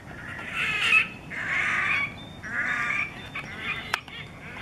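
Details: Red-necked grebe singing in April 2020 at Kissakoski, Finland: loud, harsh wailing bursts about a second long, repeated roughly once a second, with a sharp click near the end.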